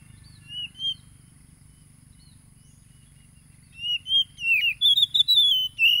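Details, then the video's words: Oriental magpie-robin song recorded by phone on Saturday 30 July 2022 in Tulus Rejo, East Lampung, Indonesia, used to rouse caged birds: after a quiet start with a faint low hum, loud clear whistled phrases arrive in quick bursts, some sliding up and down. "PANCINGAN SUARA KACER AGAR EMOSI"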